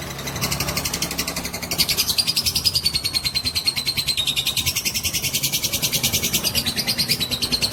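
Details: Long-duration ngekek from a fighter lovebird, a trill used to provoke other lovebirds: continuous rapid, buzzy pulses repeated about three times per second each half-beat, with a high whistled thread sliding down and up.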